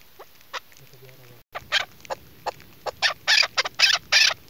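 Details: A female chukar partridge, used as a hunting decoy caller, gives harsh, clucking notes in irregular bursts, about one a second, quickening into louder chuk notes toward the end.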